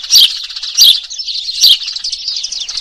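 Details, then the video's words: Eurasian tree sparrow lure call for trapping: three loud, harsh descending chirps less than a second apart, followed by a thin, buzzy trailing twitter. "SUARA PIKAT PANCINGAN BURUNG GEREJA RIBUT DI JAMIN LANGSUNG NYAUT"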